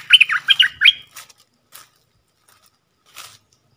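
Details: Stripe-throated bulbul decoy song: one quick bubbly phrase of five or six chortled notes swooping between mid and high pitch in about a second, then a few faint clicks and rustles.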